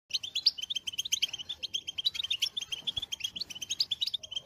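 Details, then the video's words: European goldfinch (Carduelis carduelis) song: a rapid, unbroken stream of bright, tinkling twitters and buzzy trills, high-pitched and fast-paced throughout. "Goldfinch motivating songs"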